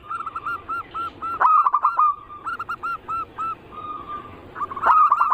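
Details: Lure recording of zebra dove song aimed at making perkutut sing, mixing local, Bangkok and crossing styles; quick repeated arched coos broken by louder rough bursts and a longer drawn note.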